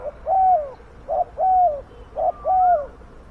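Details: Spotted dove calling as a lure for wild doves: three loud two-part coos about once a second, a short note then a longer mellow falling note, with a soft rising whistle behind.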